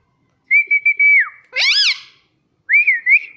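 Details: Pet Indian ringneck parrot indoors; a long level whistle with small stutters that falls away at the end, then a buzzy rising and falling note, then a short wavering whistle.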